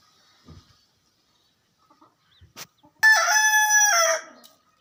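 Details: Rooster crowing: a few soft clicks and faint rustles, then a strong, harmonic crow lasting about a second and a half, held steady before dropping in pitch and trailing off.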